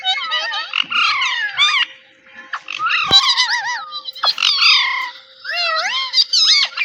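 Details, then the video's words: Cute companion parrot saying "Mitthu", a popular parrot name in South Asia; loud, rapid chatter of harmonic squawks and warbling glides in two long bursts with a short lull between. "Parrot Talking “Mitthu Mitthu”"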